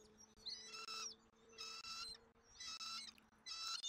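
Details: Bald eaglet at dinner on a Southwest Florida nest cam, January 2024, attended by its parents: four shrill, harmonic chirping bursts roughly a second apart, with a faint steady low hum beneath.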